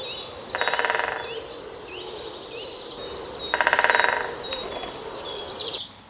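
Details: A Great spotted woodpecker drums in two rapid, rattling rolls, each under a second and about three seconds apart, over a chorus of high chirping songbirds.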